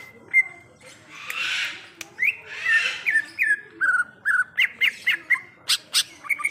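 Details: Greater green leafbird in the wild, mixing harsh hissing rasps with bright, short downslurred whistles that speed into a steady repeated run toward the end.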